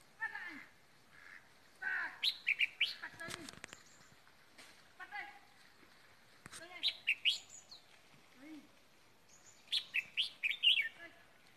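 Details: Red-whiskered bulbul serving as a decoy bird, Ba Vì, Vietnam, after Tết; three bursts of rapid chirpy warbling phrases, with a man speaking and some clattering in between.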